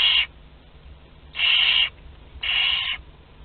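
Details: Three drawn-out, breathy screeching hisses, roughly one second apart, from young Barn owl chicks aged two to twelve days sharing a meal at a Théding nest in France, 29 April 2021.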